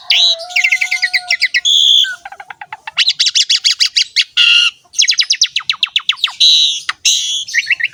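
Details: Asian pied starling song meant to coax young starlings to sing: long fast runs of clicking, stuttering notes, buzzy harsh bursts and a drawn-out thin whistle at the start, delivered in loud continuous phrases.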